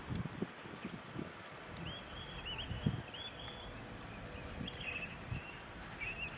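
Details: Golden plover bathing, giving thin, plaintive whistles in short runs, flat to slightly rising, over steady low rumbling and splashing water; Da-Peng Bay, Pingtung County, Taiwan, 4 December 2015.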